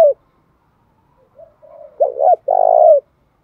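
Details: Spotted dove, pigeon-sized, calling in the 'thổ bầu' voice style to incite fighting. Quiet breathy notes build to two arched coos and one long, evenly vibrating coo.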